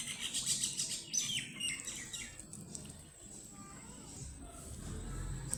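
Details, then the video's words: A brood of baby ducklings playing and exploring gives quick, high, thin peeps in a busy cluster over the first two seconds, then sparser faint chirps above a soft, steady background rumble. "ADORABLE Baby Ducklings Make The Funniest Sounds!"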